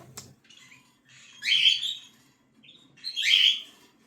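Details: Cockatiel chicks begging: a click, then two loud rising raspy screeches about two seconds apart, with a faint short note between, otherwise quiet.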